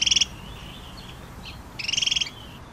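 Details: Pygmy nuthatch calling: two short, bright bursts of rapid piping notes, the first brief at the start and a longer trill near the end, with faint softer chips between them.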